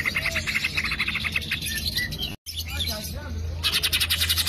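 Green leafbird song: a rapid, busy stream of high chirps, whistles and trills. A brief gap breaks it midway, and a steady low hum runs underneath.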